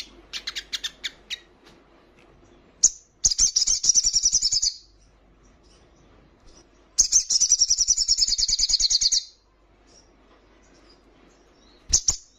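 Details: Female hill prinia in breeding condition calling the male: a short stutter of high chips, then two long rapid, buzzy high trills separated by a few seconds of quiet, ending with a sharp note.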